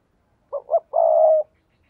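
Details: Spotted dove coo meant to lure wild doves: two short, rounded notes, then a single long, steady, mellow hoot about half a second long, in silence.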